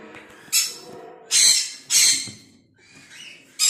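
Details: A breeding pair of sun conures in their setup give harsh, piercing screeches, four loud bursts about a second apart with softer chatter between, in a small room.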